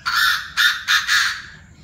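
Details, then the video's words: Several Chinese francolins in a noisy evening chorus around 7 pm: four loud, rasping, broadband notes in quick succession, the last one drawn out and fading. "Tụi đa đa - nhiều giọng - đại náo lúc 19h"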